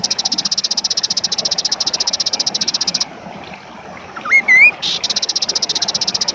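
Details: Kaso kaso bird song used for tutoring songbirds and as a lure to draw other birds into singing: a rapid, high, buzzy pulsed trill, a pause, brief upward-sweeping whistles, then the buzzing trill resumes until the end.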